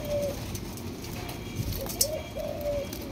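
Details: Captive two-month-old spotted dove of Malaysian stock uttering a few soft, fairly quiet coos, one at the start and a paired phrase near the end, against constant low rumbling noise and a single sharp click.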